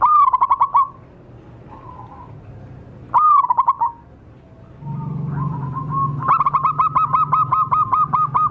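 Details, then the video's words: Wild local zebra dove lure recording: three cooing phrases, each a clear note broken into rapid staccato pulses, with the last becoming a long even run of pulsed coos, over a low rumbling background. "suara pancingan dan pikat burung perkutut liar lokal paling ampuh"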